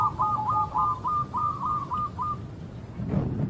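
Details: A local zebra dove calling (manggil): a quick run of soft, mid-pitched cooing notes, about eight in two and a half seconds, followed by a brief dull thump.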